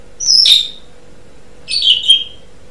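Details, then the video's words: Asian pied starling from a training recording for songbirds, giving two short squeaky, descending chirps about one and a half seconds apart over a faint steady hum. "Suara Burung Jalak Suren"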